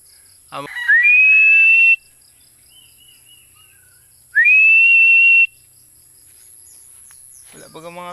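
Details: Philippine eagle giving two long, loud whistles that climb quickly and hold a steady high pitch for about a second, with knocking and clattering noises at the start and end.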